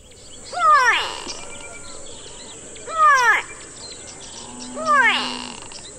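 A Grey Go-away-bird gives three loud, nasal, drawn-out calls about two seconds apart, each sliding downward with a harsh, bleating quality.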